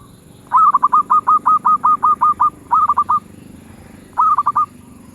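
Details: Zebra dove with a medium-pitched voice gives a long run of stuttering, rolling coos, each note a quick rising-falling trill. After a short pause comes a shorter four-note burst, over a low background hum.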